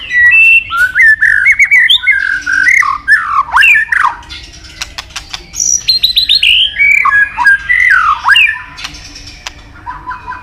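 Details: Murai batu (white-rumped shama) in long, full isian song: a continuous stream of varied whistled, warbled and slurred phrases, with quick repeated high notes and scattered clicks.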